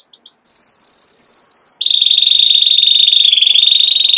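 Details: Three quick chips from a canary lead into a steady high trill, which drops into a long, rapid, rolling trill that continues to the end.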